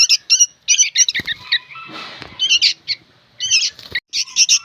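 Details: Noisy young sooty-headed bulbuls giving scattered harsh squawks and buzzy notes, with a soft rustle or flutter in the middle.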